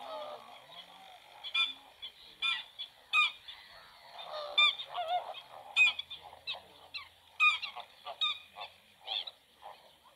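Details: Black-winged stilt at its nest with two newly hatched chicks feeding on their own and an egg still unhatched. Sharp, yelping, harmonic calls are repeated irregularly throughout, roughly one or two per second, over softer lower chatter.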